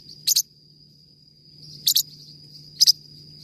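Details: Forpus parrotlet singing three high, clipped double chirps spaced over about three seconds, with a low steady hum and a thin high tone in the background.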